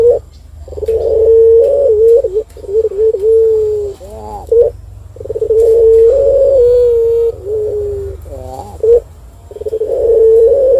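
A turtle dove gives long, low, steady cooing phrases with brief quavering rolls between them, over a constant low hum.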